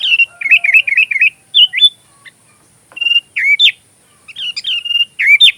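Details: Sooty-headed bulbul, a busy singer, in a recording meant as fill-in material for magpie robins. A rapid run of bubbly, wavering notes comes first, then spaced chirpy whistles and quick rising slurs in short clusters.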